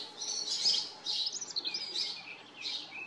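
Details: House sparrows living on a farm give bright, slightly harsh chirps in quick overlapping bursts about every half second, over a faint low hum.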